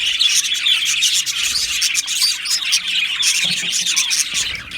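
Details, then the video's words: Australian budgerigars chirping together in an aviary colony on 12 July 2025, steady high overlapping chatter and squeaks, fading slightly at the very end. "Australian Budgie Chirping Sounds"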